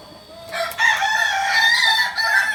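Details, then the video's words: Kokok Balenggek rooster crowing at a practice gathering in Amko, Solok city: a long, sustained harmonic crow with small stepped pitch changes, starting after a quiet half second and continuing to the end. "Latberan ayam kukuak balenggek"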